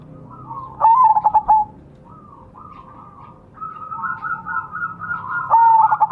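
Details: Lure song of a Majapahit perkutut zebra dove: a strong whistled note with fast stuttered coos, softer warbling phrases from another dove, and a final loud whistled phrase beginning.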